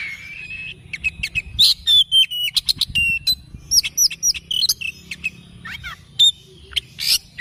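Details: Morning song from an oriental magpie-robin: fast series of clicks, thin whistles and curling chirps, nearly four notes a second, broken by a few longer flat whistles, over soft low background hum.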